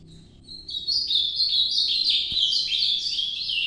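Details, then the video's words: Ultramarine grosbeak singing in the Nordeste style, a nocturnal song: a rich warbled phrase that starts low after a quiet lead-in, then climbs into bright, slurred, rapidly changing high notes. "Canto Nordeste Azulão Noturno"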